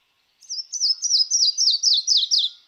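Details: Yellow-throated warbler (Setophaga dominica) song: a quick run of about eight short, sweet, high slurred notes stepping steadily lower in pitch over two seconds, with nothing else heard.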